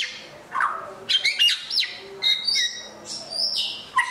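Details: White-rumped shama, an Asian songbird, delivering varied sweet whistles, sharp upward and downward slurs and short chirps in an irregular, lively sequence.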